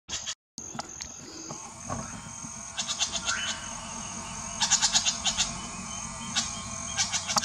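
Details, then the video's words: A White-tailed jay (Cyanocorax mystacalis) at Reserva Ecológica Arenillas in May 2018 gives harsh, clipped notes in quick bursts of four or five, with one short rising note, over a steady high insect hiss. "White-tailed Jay"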